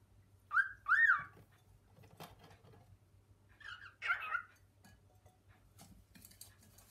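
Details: Male cockatiel kept indoors, exploring kitchen cupboards with its female, calling for her to come although she is already there; two loud, bright, warbling calls with a rising-falling contour, then a pause and a second husky burst, in a quiet room.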